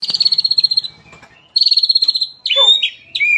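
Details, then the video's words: White-rumped shama song used for tutoring captive birds: long rolled trills of rapid pulsed notes, then sharp downslurred whistles and a quick varied phrase. "SUARA BURUNG MURAI ISIAN MEWAH // NGEROL PANJANG DAN NEMBAK NEMBAK untuk masteran murai"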